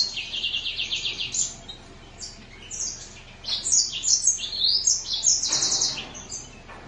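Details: Green singer finch delivering a busy high-pitched song: a fast series of repeated chirps at the start, a brief lull, then dense warbled trills and whistled slurs, over a low background hum.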